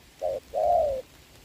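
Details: Spotted dove decoy bird used in trapping, recorded 26 November 2022: a short low coo followed by a longer, slightly arched coo, both mellow and deep.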